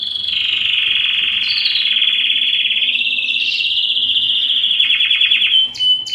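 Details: Belgian canary holding a sustained rapid high trill for several seconds, pitch rising slightly midway, then a burst of quick pulsed notes and a brief pause before resuming.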